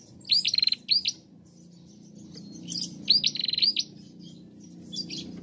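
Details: Bar-winged prinia; female song; stimulating other prinias to sing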